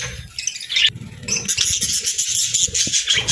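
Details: Budgerigars chirping; a continuous, scratchy high warble of rapid chirps and buzzy notes with a few soft clicks underneath.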